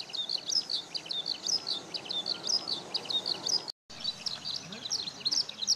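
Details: High, tumbling skylark song, unbroken and rapidly varied, recorded by Lumix DMC-FZ150 at the fourth parking lot of Okayama Airport, Japan, on sunny 5 June 2013; a brief dropout interrupts it partway.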